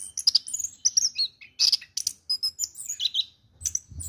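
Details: Caged orange-headed thrush, called a fine, award-winning bird kept in a shabby cage, singing a fast, varied run of high whistles, chirps and sliding notes in quick broken phrases, with faint low thumps underneath.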